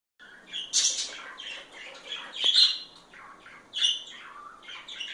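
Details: A pair of parakeets being affectionate with each other: bursts of scratchy, chattering warbles and short squeaky chirps, loudest in three peaks, with brief pauses between them.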